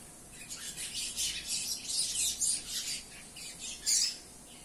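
A double-collared seedeater sings a fast, chattering run of high buzzy and whistled notes that continues almost without pause, with a faint hum behind.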